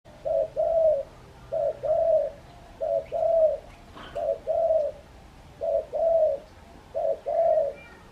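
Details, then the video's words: Spotted dove calling outside its cage; low, mellow coos in steady paired phrases, a short note followed by a longer one. About six phrases in eight seconds at an even rhythm. Faint background hum, no other clear sounds. "Burung Terkukur Super Gacor Di Luar Sangkar"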